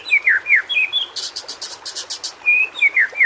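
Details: White-rumped shama singing for training caged shamas to sing: falling whistled notes, then a rapid series of buzzy high chatter bursts, then more slurred, falling whistles.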